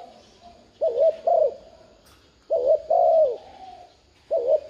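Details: Spotted dove cooing to stir a newly caught dove: three phrases, each a brief two-pulse hoot then a longer coo easing downward, separated by quiet gaps, with the last one cut off.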